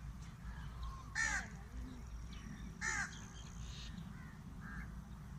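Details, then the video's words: A crow cries out from a date palm, giving two rough, grating caws about a second and a half apart, with a faint softer note later, against constant low-pitched background hum. "When a Crow Cries from the Date Palm"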